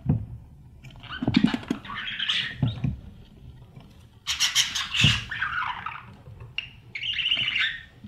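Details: Breeding budgerigars in a nest box, chicks fed by parents and filmed from inside: scraping and knocking sounds, then loud rasping, noisy squawk bursts near the middle and a shorter chattering burst at the end.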